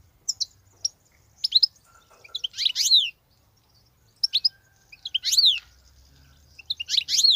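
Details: European goldfinch, a wild bird, in continuous song: scattered high tinkling notes building into short bursts of bright twittering phrases with sweeping, slurred whistles, repeated in bursts about every two to three seconds.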